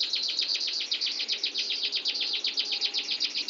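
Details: Canary in a long rolling song: a fast, even trill of rapid high notes pulsing steadily about two or three times a second, dense and clear throughout, with no other sounds.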